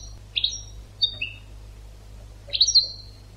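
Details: Educational European goldfinch song for training birds: a few sparse high twittered notes and a short slurred phrase, separated by brief pauses, with a low steady hum underneath.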